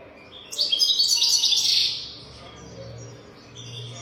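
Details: Golden-throated European goldfinch performing a teaching song for other goldfinches: one dense, fast, glittering trill of high tinkling notes lasting just over a second, then quiet with a faint low hum.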